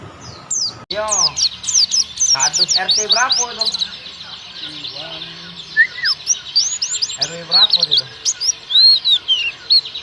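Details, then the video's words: Several forest-type oriental white-eyes in full, lively song: dense, high, twittering chirps, rising and falling slurs tumbling together almost without pause, with a few lower harmonic notes mixed in. "KUMPULAN BURUNG PLECI NGALAS SAMPE BUKPAR GACOR"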